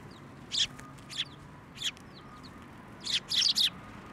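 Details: A sparrow fed from the hand at a Tenmangu shrine in January utters short separate chirps, three spaced singly, then a closer cluster of three near the end.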